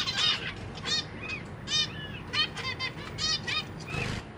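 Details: Zebra finch parents feeding their babies, three juveniles and three newly hatched, in a big cage on 23 June 2023. Loud nasal, honking calls repeated in quick irregular bursts, roughly forty a minute, some overlapping, over a faint low rumble.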